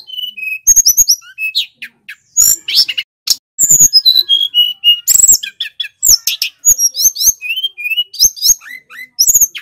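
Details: Male little pied flycatcher from Banyuwangi delivering long, loud, clear song meant as a master and lure recording: rapid mixed twitters, sharp clicks and drawn-out slurred whistles, repeated in dense bursts with few short gaps.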